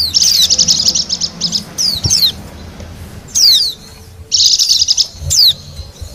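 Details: High, busy chirping song of a wild Bali white-eye for luring wild birds: a long rapid twittering burst, then downward-slurred whistles, a pause, and another fast trill ending in a falling note.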